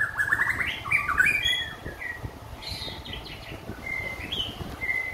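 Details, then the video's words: White-rumped shama fresh out of its moult, giving a rapid sequence of bright whistled and chattering notes that slide upward, followed by softer scattered phrases and a lone high whistle at the end. "Shama bird singing"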